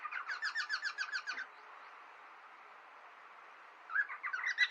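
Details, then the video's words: Pet cockatiels in a friendly fight chatter in a quick, evenly pulsed series of rough notes, fall silent for over two seconds, then break into louder squawky chatter. "Ｃｏｃｋａｔｉｅｌｓ friendly fight & Talking in own language"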